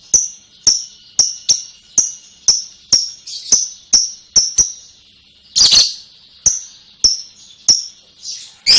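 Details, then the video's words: Lovebird ngekek: steady series of sharp clicks with short falling whistles, about two per second, broken by loud harsh chattering bursts. "Burung love bird ngekek panjang banget 3 menit"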